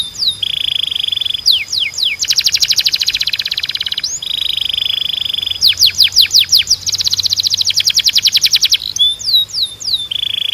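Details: Canary training song meant to stimulate singing: a bright, high song of steady held tones, fast buzzy trills and quick downward-sweeping whistled notes in alternating phrases, with continuous variety and no pauses.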